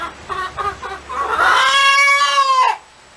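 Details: A hen's cackle, with a few soft, quick clucks leading into one long, loud, strained note held for over a second that ends abruptly, leaving quiet background hum.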